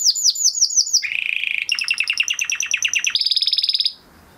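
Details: Training song of a crested Spanish Timbrado canary bred in 2020: quick falling notes, then a low buzzy rattle, a loud rolling trill and a high steady trill before stopping abruptly.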